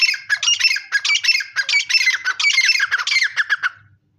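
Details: Grey francolin calling: loud, harsh, scratchy notes tumbling out in rapid, uneven bursts for nearly four seconds before stopping, with nothing else audible.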